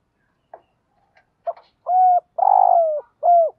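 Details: Morning calling of a decoy spotted dove meant to set other doves calling: a few soft clicks and short notes, then three flat, hoarse coos, the middle one longer and sliding downward, in a quiet setting.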